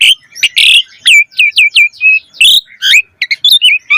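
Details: Asian pied starling in chatty song full of isian (fill-in) phrases, played as a lure to set other starlings singing: rapid sequence of sharp high chirps and short downslurred whistles, bursts clustered every fraction of a second.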